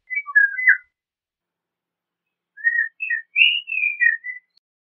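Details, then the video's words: Eurasian golden oriole giving two rich, fluty whistled phrases, the second longer and rising before falling away, separated by a two-second pause; nothing else heard. "Golden Oriole Song, Call, Chirp, Sound, Vocalization - Oropéndola Europea Canto - Oriolus Oriolus"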